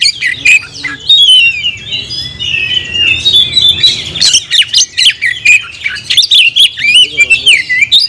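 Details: Oriental magpie-robin kept as a cage bird, singing 'gacor': mixed whistled slurs and scratchy chirps, a quieter middle stretch, then a lively rush of loud varied notes.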